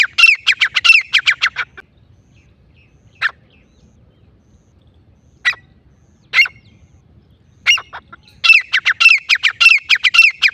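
Grey francolin giving rapid bursts of loud, harsh, high notes, a couple of seconds long, with single sharp notes spaced between them. Otherwise quiet.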